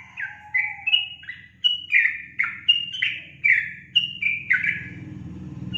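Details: Sooty-headed bulbul singing energetically: a rapid chain of clear, fluty, downslurred notes over a steady low mechanical hum that grows louder toward the end.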